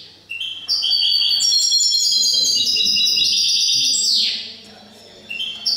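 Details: European goldfinch or goldfinch hybrid singing in an indoor finch song contest in Cádiz, Spain, on 21 April 2019: a dense, bright four-second phrase of rapid twittering and tinkling notes, ending in a falling slur, then a pause before singing resumes.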